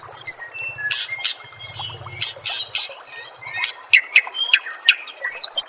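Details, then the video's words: White-rumped shama master song, played so kept shamas answer and sing, given as sharp, buzzy high notes and short rising whistles in quick broken bursts, with a faint low hum in the first half. "SEKETIKA PASTI NYAUT dan GACOR bila murai batu anda dengar suara MASTERAN burung seperti ini"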